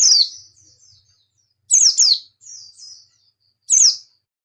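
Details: White-eye singing: sharp high descending whistled notes in bursts about every two seconds, each trailing into softer thin twittering phrases, in a quiet setting.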